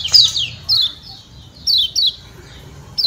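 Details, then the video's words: Kecial kuning, a white-eye of Lombok, uttering the 'ciak ciak' provoking call: a busy opening flurry of thin descending notes, then single sharp downward chirps spaced about a second apart. "Kecial Kuning Ciak Ciak Joss Bikin Kecial Lain Yang Denger Auto Nembak"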